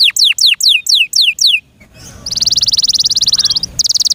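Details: A kept canary gives several loud sweeping whistles dropping in pitch, pauses briefly, then pours out a sustained fast high trill that stops and restarts.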